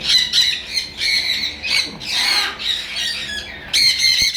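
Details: Breeding pair of sun conure parrots giving repeated harsh, loud squawks in bursts, with short gaps between, over a noisy background.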